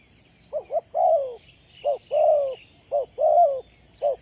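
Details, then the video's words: Caged spotted dove used as a ground decoy to lure wild doves into traps, 20 April 2020. It gives rapid low coos: paired short notes followed by a longer, slightly falling croo, the phrase heard twice, with a thin high background hum. "Bẫy Chim cu gáy bằng mồi đất"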